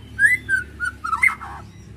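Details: White-rumped shama song used to stir a bird's emotion: a short series of clear whistled notes, sliding and slightly rising, ending in a fast warbled flourish, over a steady low hum.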